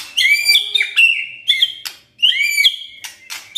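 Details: White-rumped shama in full-fill kretekan and tembakan song: rich, warbling high whistled phrases broken by short snapping clicks, with two phrase bursts separated by a brief pause.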